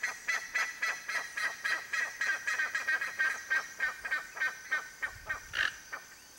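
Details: Wild Toco toucan (Ramphastos toco), free-living in Brazil: a rapid run of short, hoarse croaking notes, about three or four per second, fading toward the end, with a faint steady high hiss behind.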